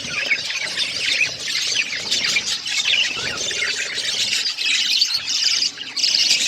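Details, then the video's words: Pet budgerigars chattering while they eat seeds; constant high warbling chirps and squeaky notes overlap from several birds. "My beautiful budgies eating seeds birds chirping sound"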